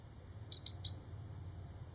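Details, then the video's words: Adult female bald eagle scolding an uncooperative eaglet after leaving the nest, which holds two eaglets, at Stonington, Maine, in May 2023: three quick, high, sharp chirping notes, then quiet, over a steady low rumble. "Eaglet was ignoring Mom and it got a earful for it."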